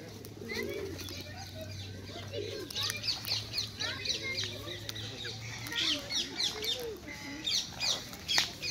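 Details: Rapid, shrill chattering from wild rose-ringed parakeets at a feeding spot in Hyde Park, London, runs throughout. It is mixed with low, soft pigeon cooing, flapping wings and a faint hum.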